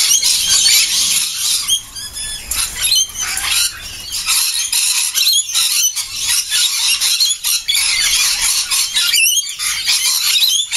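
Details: Morning flock of lorikeets gathering at breakfast time before flying off to feed on flower nectar; dense, continuous shrill screeching and squealing from many birds, overlapping harsh high notes with barely a pause.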